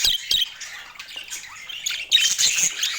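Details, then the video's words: Budgerigar squawks and chirps, sharp harsh notes opening the clip, a quieter spell of soft twittering, then a loud, scratchy burst of overlapping chatter at the end. "Dieser Sound macht Wellensittich Vogel verrückt"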